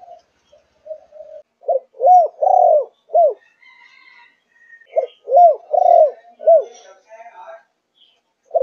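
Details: Malaysian-line spotted dove, four months old, 'thúc gù' style, giving deep rounded coo phrases of three to four arched notes in two bursts, with faint chatter and scattered soft sounds between them.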